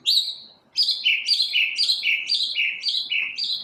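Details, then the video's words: One bird's morning song: after a brief pause, paired high notes that each drop to a lower note, repeated rapidly about four times a second in an even, bouncing series. "Birds chirping | Bird chirping sounds | Bird singing | Morning bird sounds"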